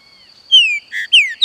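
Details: Green-winged saltator singing loud, clear, downward-slurring whistles with a short burry note between them; a faint, steady, thin high tone runs underneath throughout.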